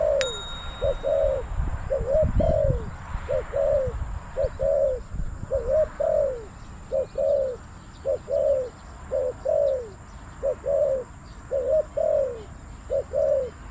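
A spotted dove repeats soft, mellow cooing notes, often paired, about once a second. Low rumbling noise is heard in the first few seconds.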